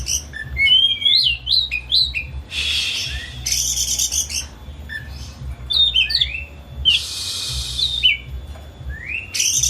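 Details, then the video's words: Excited home-kept Oriental magpie-robin in a cage, singing to make a silent bird sing loudly: quick whistled slurs alternating with two long harsh rasping bursts, above a steady low hum. "Kicau Kacer Rumahan Emosi Buka Ekor Ngeplong Terus"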